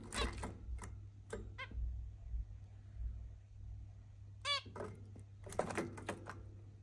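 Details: Zebra finch making mating sounds indoors: scattered short clicks and buzzy bursts, with one clear nasal call with stacked harmonics near the fifth second, all over a steady low electrical hum.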